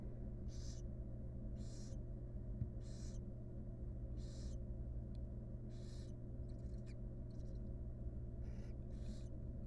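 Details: Nest box camera on wild barn owls as the mother grooms her chicks; a long run of about nine breathy, scratchy hisses at uneven intervals, some softer and clipped, above continuous low droning hum.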